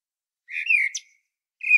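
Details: Fluty common blackbird phrase from Sljeme on Medvednica Mountain above Zagreb, Croatia, filmed with a Panasonic Lumix DC-TZ90: a short, rich whistled warble with a brief high squeak near its end, then a new whistled phrase beginning after a pause.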